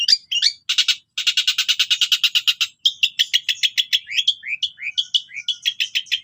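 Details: Long-tailed shrike delivering a full, varied gacor song with cililin-type phrases: a dense harsh pulsed rattle, then a run of rising slurred whistles and rapid chirps.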